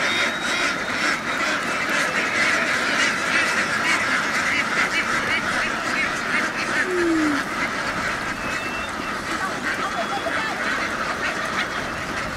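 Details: Vietnamese laying ducks, a large flock running through a field toward a boat, give nasal quacks that blend into a continuous clamor; a few louder calls stand out above the crowd noise.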